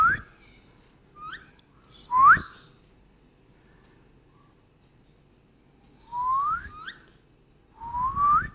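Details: Rose-ringed parakeet, called Indian ringneck: clear rising whistled calls, some short and sharp, others longer upward slurs, given in spaced bursts with quiet pauses between, in a quiet indoor-sounding setting.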